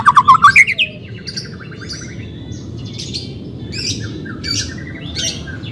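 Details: White-rumped shama song used for training a reluctant singer: a loud rapid rising trill opens, followed by softer scattered buzzy and chattering notes with a faint background hiss.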